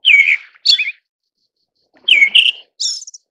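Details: Eyebrowed thrush (Turdus obscurus) gives two brief phrases about a second apart, each a thin, slurred whistle followed by quick, higher chirping notes, with no other sounds.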